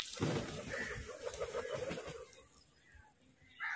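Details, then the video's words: Crows eating food give a fight call: harsh, grating calls in a rough burst for about two seconds, then quiet, with another harsh call starting at the end. "Crow fight call"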